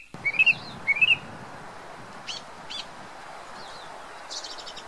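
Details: Introduced song thrush in New Zealand: a short rising whistled phrase given twice, then scattered sharp high notes over steady background hiss.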